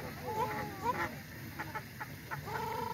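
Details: Ruddy shelducks on a frozen lake in a Tianjin water park, China: a few nasal honks with bending pitch, then short clipped notes and a drawn-out honk at the end, with constant low rumble behind.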